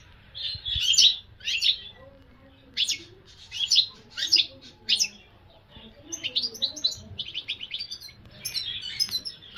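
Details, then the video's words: Goldfinch singing in a lively, uneven stream of tinkling, high chirps and twitters, the phrases coming quickly and then running into a faster, fainter chatter. "الحسون عشق لمحبي الطيور المغرده"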